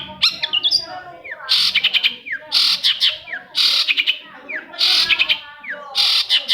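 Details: Harsh rasping bursts alternate with rising whistled notes roughly every second in this long-tailed shrike song, played to spur quiet shrikes into singing.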